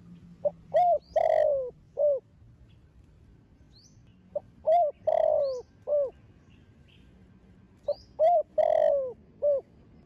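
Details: Young spotted dove of the Thổ Sấm line, Thổ Đồng voice style, cooing to stir other doves into calling. Three matching phrases roughly every four seconds, each with short opening notes, a long falling coo and a brief end note.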